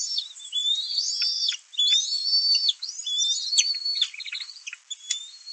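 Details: Bald eagle nestling on a monitored nest, 11 May 2024, announcing a parent's fish delivery amid sibling competition; loud, shrill chattering whistles in long wavering phrases with sharp clicks, continuing almost without pause.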